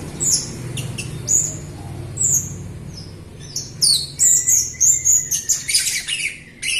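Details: Lively, chattering Jalak Rio myna song, used as a lure to get other Rio birds and reluctant singers to sing. Sharp high whistles and squeaky chirps come in irregular bursts, busier and louder toward the end, over a low steady hum.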